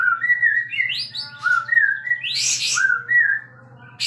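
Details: Loud sooty-headed bulbul song from a caged bird fanning its tail: clear whistled notes stepping and sliding between low and high, interrupted by one harsh rushing burst, over a faint low hum.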